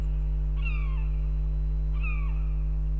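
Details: A female northern goshawk at a nest in Riga, Latvia, on 18 February, calling for her partner: two drawn-out, plaintive, slightly falling wailing calls about 1.4 seconds apart, over a loud steady low electrical hum.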